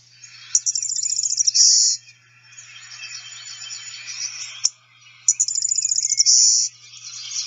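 Golden-winged Warbler giving its type 2 song twice: a rapid, high stuttering trill of about a dozen notes ending in a sustained buzzy note.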